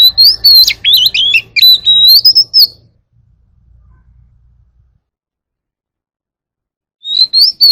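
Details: Oriental magpie-robin singing a forest-voice song to call the flock: about three seconds of rapid, varied whistled notes with buzzy slurs, then low rumble, silence, and a new burst of song starting at the end.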